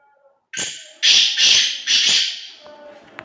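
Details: Loud, grating call of a black francolin, four harsh rasping bursts in a row, followed by faint thin whistled tones from another source.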